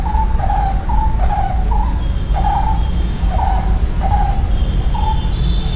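A barbet repeats a mellow, hollow two-part note roughly twice a second, steady and mid-pitched, over a constant low rumble and a faint thin high tone.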